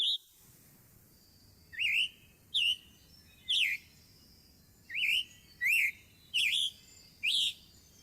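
Scarlet Tanager song: short, burry, robin-like phrases of two or three notes, given in quick bursts about every second, rough rather than clear.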